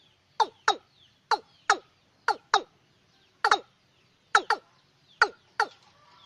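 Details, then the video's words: Night-time watercock call used for luring birds: a run of paired, hollow, falling notes, each pair close together, repeated steadily over about six seconds. "Tiếng Cúm Núm Đôi Đánh Đêm Hiệu Quả"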